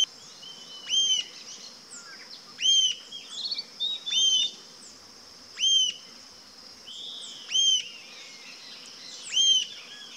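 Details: Rufous-tailed jacamar sounding sharp, high-pitched notes that rise and drop quickly, about six in ten seconds at uneven intervals, with quieter chattering calls between and an unbroken high insect buzz.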